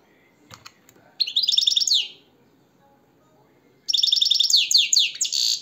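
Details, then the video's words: European goldfinch song: two bursts of fast, bright, metallic twittering, the first short and the second longer and more run together, separated by a quiet pause, with soft background noise. "SAKA KUŞU ÖTÜMÜ"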